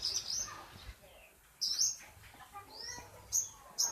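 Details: Long-tailed shrike giving an unusual, strange-sounding call: sparse high, thin chirps and short buzzy bursts separated by quiet gaps, with a few softer lower notes in between and faint background noise.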